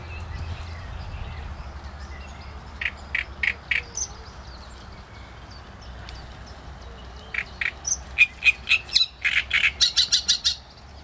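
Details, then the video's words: Great reed warbler song in harsh, rasping bursts: a few croaky notes early, then a long rapid run of grating, chattering syllables, repeated several times a second, over quiet background hiss. "Trzciniak i jego śpiew"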